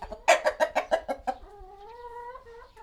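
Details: Chicken in a small village coop, recorded with a Sony PCM-D100 and Sennheiser ME66: seven quick, loud clucks in about one second, then a drawn-out, wavering, nasal call that holds steady before fading.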